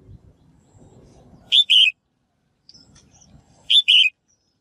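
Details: Female bird's call meant to prompt males to sing energetically, given twice about two seconds apart, each a sharp short note then a longer descending chirp, with soft low murmuring between calls.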